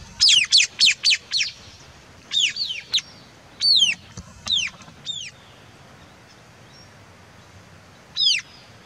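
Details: Several high, shrill squealing calls from white-capped tanager, a fast run of five falling notes followed by spaced single and paired squeals, then a gap of silence before a final shrill note.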